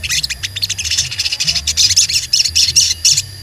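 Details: A singing crimson sunbird pours out a fast, high, sibilant twitter of thin "cuit cuit" chirps and trills, near-continuous, over a faint low hum.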